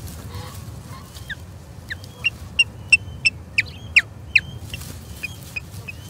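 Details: Osprey at a nest in Charlo, 21 April 2022, skirmishing with an intruding third osprey: a steady run of short, sharp, high chirps, about three per second, peaking mid-series and fading, over low background rumble.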